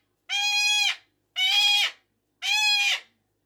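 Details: Three long, grating screams from a pet cockatoo at dawn or early evening, 5:15, evenly spaced about a second apart and equal in loudness, with silence between.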